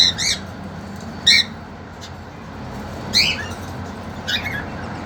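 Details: A caged young male cockatiel courting a two-month-old sibling female: four rough, harmonic squawks at irregular intervals, each a short falling note, with low steady hum behind.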